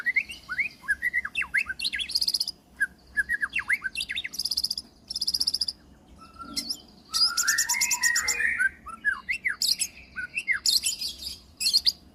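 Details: Full-content white-rumped shama song: clusters of quick looping whistles alternate with harsh buzzy, rattling bursts and brief pauses, a rich, varied medley of sweet and scratchy phrases.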